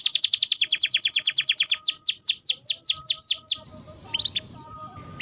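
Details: Canary song recorded as training material for other birds: rapid bright notes repeated about nine per second, then slower, loud down-slurred whistles at a steady pace, ending with a few scattered chirps over faint background hiss.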